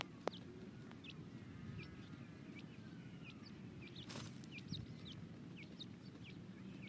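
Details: Grey francolin chicks being tamed in captivity give thin, high peeps, short sliding notes scattered every half second or so over steady low rumbling background noise, with one sharp click near the start.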